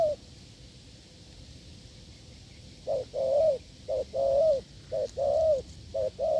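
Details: Wild spotted dove cooing hard in reply to a decoy test. After three quiet seconds come low, hollow coos in pairs, a short note and then a longer drawn note that bows downward. Four such phrases follow in quick succession over faint background hiss.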